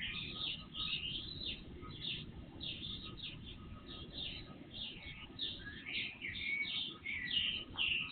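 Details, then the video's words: Night and early-morning bird chorus from an IP surveillance camera, volume raised threefold; busy stream of chirps and warbled trills from multiple birds, growing denser toward the end, over steady low noise and faint hum. "Night Birds Song"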